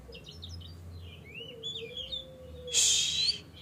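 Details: Morning oriental magpie-robin song used as a lure to stimulate other birds into singing: high twittering phrases and sweeping whistles, then a loud harsh burst near the end, over a low droning hum.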